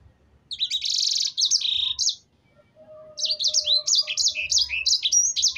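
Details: Canary in lively, chattering song, played as a lure to make other birds sing: a dense run of high, sharp chirps and buzzy trills, then a short pause with a faint low whistle before fast looping twitters resume.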